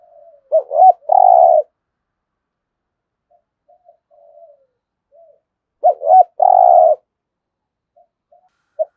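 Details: Spotted dove singing in the 'thúc gù' cooing style used to get newly caught doves calling: two rapid soft notes leading into a long mellow coo, the phrase given twice about five seconds apart, with faint low murmurs between.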